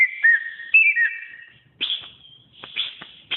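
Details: Cucak ijo (greater green leafbird) song from a masteran recording for pet birds: warbled whistled phrases at first, then a pause followed by a few sharp, high whistled notes.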